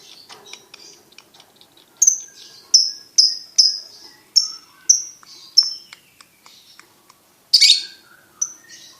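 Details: Champion competition lovebird: soft scattered chirps, then a clear run of sharp high notes about every half second, a pause and a harsh burst near the end.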